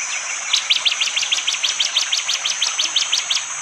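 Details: In Indonesian forest at Wonocoyo Village, East Java, a bar-winged prinia delivers its sharp 'tembakan' shot song in the morning: a fast, steady string of about eighteen piercing chips over three seconds above a high insect drone.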